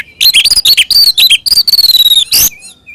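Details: Oriental magpie-robin in ngeplong fighting song, used to provoke others of its kind: a fast string of ringing whistled notes, several held and slightly falling, ending in a harsh buzzy burst and two soft notes.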